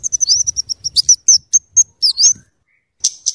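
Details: High, fast scarlet-headed flowerpecker song used as luring and tutor sound: rapid stuttering chips mixed with thin rising slurs, a pause, then two more sharp notes.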